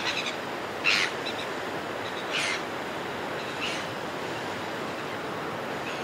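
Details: Red-billed gulls calling in flight over a cliff top: three harsh, ringing squawks spaced about a second and a half apart, over a steady rushing background like wind or surf.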